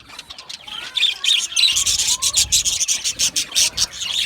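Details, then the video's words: Budgerigar parrots chirping in quick, rhythmic bursts, about three per second in the second half, over lower curving warbled notes and a constant high chatter. "Australian Budgie parrot chirping sounds | beautiful Budgie birds sounds"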